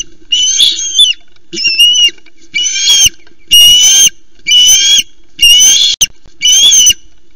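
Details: Osprey family at a nest on a live cam at Loch Arkaig, on 1 September, as the male brings three small flounders for the chick; loud, rasping, whistled calls with harmonics, repeated in bursts about once a second.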